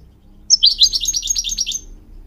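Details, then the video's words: Goldfinch song for teaching mules and canaries: a rising high note opens a rapid, slightly buzzy trill of repeated chirps lasting about a second, over faint low background noise. "Teaching goldfinch mules and canary to song"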